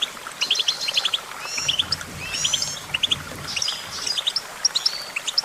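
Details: Goldfinch song: bright, high twittering in quick bursts of two to four tinkling notes, with scattered buzzy trills and thin whistles, over faint low background rumble.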